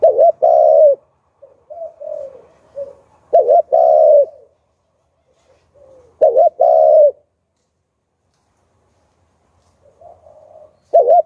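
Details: Spotted dove decoy singing in the Hạp Bổi style to attract wild doves: loud double coos, each a short dipping note then a longer full one, recurring every three seconds or so, with soft trailing coos and quiet gaps.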